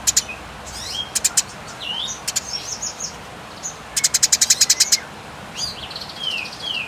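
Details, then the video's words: Fighting Eurasian tree sparrow giving a long clear dragging call used to train songbirds: scattered high chirps and downslurred whistles, a burst of about ten fast sharp chips near the middle, then thin descending whistled notes. "Gereja Tarung Nyeret Panjang Jernih"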